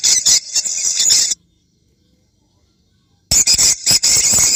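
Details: Swiftlet call used to attract swiftlets to a site: shrill, high chattering bursts, then about two seconds of silence, then the rapid chirping resumes.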